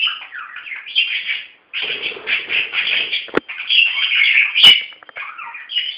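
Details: Playful pet budgerigars in dense, raspy warbling chatter mixed with chirps and squeaks, broken by a couple of sharp clicks or taps.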